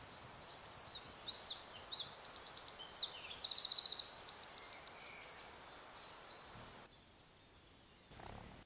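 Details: Eurasian wren in the Berezinsky Biosphere Reserve, Belarus, a tiny bird with an unusually loud voice: a rapid, high, tumbling run of trills and ringing notes lasting about five seconds, then fading into quiet background.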